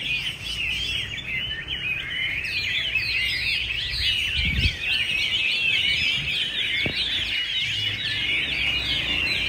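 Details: Chinese hwamei practising for a singing contest in Hanoi on a very cold winter weekend, singing a fast, continuous stream of bright, varied whistles and chirps, with low background thumps.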